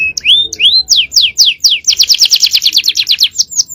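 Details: Male canary in full-power cengkok song: a few rising whistled slurs, steep descending notes, then a rapid repeated double-noted trill with high chips.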